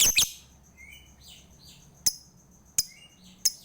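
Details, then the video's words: Lovebird lure to stimulate a lazy lovebird to sing: a loud scratchy double chirp opens, followed by quieter sharp chirps about every 0.7 seconds and soft rising twitters in between. "PANCINGAN UNTUK LOVEBIRD MALAS BUNYI"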